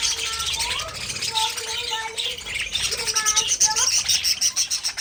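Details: Pet budgerigar warbling with clear short whistled notes, some rising and some falling, mixed with talkative chatter and bright high chirps, over busy background twittering from other birds.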